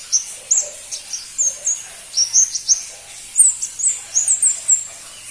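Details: Pentis pelangi, or crimson-breasted flowerpecker, seldom kept by bird hobbyists, uttering very high, thin, needle-like notes singly and in quick clusters of two to four, with short gaps between groups.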